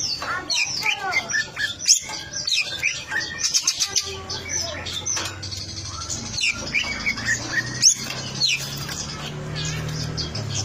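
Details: Long-tailed shrike pouring out a lively, varied song of rising and falling slurred whistles, sharp chirps and harsh chattering notes, with a low hum in the background.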